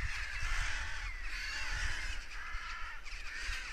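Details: Crows caw in alarm after an apparent goshawk strike; raucous calls surge in bursts, loudest at the start and again near the end, with a softer wind rumble.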